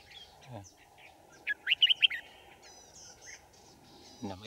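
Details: Red-whiskered bulbul decoy singing beside a trap to attract wild birds, dated 5 January 2018. A quick run of four sharp, lilting notes comes mid-clip, with faint chirps around it, a steady hum, and a brief human voice at the end.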